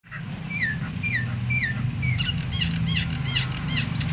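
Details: Myna calls used to stir other mynas into active singing: several clear whistles sliding downward, then a quick run of short bright repeated notes, over a steady low hum.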